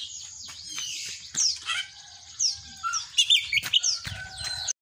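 An Oriental magpie-robin sings a fast, varied run of high whistles, sharp chips and sweeping slurs, with mimicked phrases of the cinereous tit worked in.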